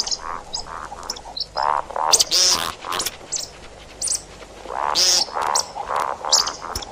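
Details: See-see partridge call played as a hunting lure: a run of short, rasping, harmonic notes at mid pitch, with loud harsh bursts carrying a high squealing tone in between and irregular pauses.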